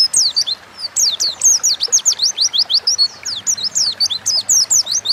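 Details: Oriental white-eye pouring out a gacor ngalas lure song meant to make other birds sing: rapid high, sweet, squeaky whistled notes in close series, with a short hesitation near the start before continuous twittering.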